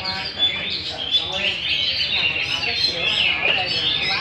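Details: Adult hwamei, Garrulax canorus, taken from the wild, singing while dancing in a competition cage; busy, high, melodious warbling with sharp whistled notes and rapid trills.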